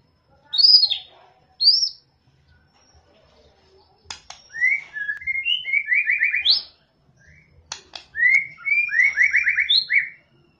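A White-rumped Shama sings loud, high, clear whistled phrases, with quick slurred notes and rapid rising trills between short pauses. Sharp clicks break in now and then.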